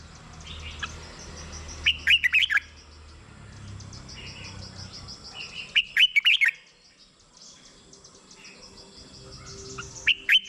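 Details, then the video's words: Caged red-whiskered bulbul, song used to make other birds eager: three short bursts of rapid warbled whistles roughly every four seconds, with faint chirping and a soft hum between them. "เสียงนกกรงหัวจุก สำหรับต่อ หรือ เปิดให้นกคึก เสียงเพราะๆ"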